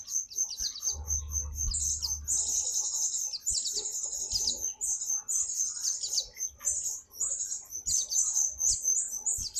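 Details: A pleci, or white-eye, singing actively: dense, very high, sibilant twittering and fast chirps that flow almost without pause. Low thumps are heard early on, along with faint background clicks.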